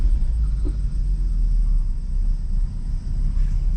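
Steady low vehicle rumble outdoors with constant engine drone and no animal voice.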